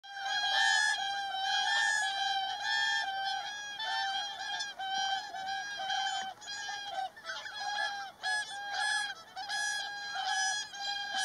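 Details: Whooper swans in a group fight, giving loud, nasal, honking calls that overlap continuously, each note rich in harmonics and repeated roughly once a second, with brief gaps and choppier bursts toward the end.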